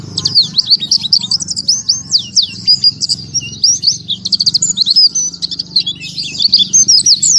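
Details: Oriental white-eye song in the 'tembakan tanpa nafas' style: a fast, breathless stream of high sweeping whistles and twittering notes running continuously for the whole stretch, with a faint low rumble beneath.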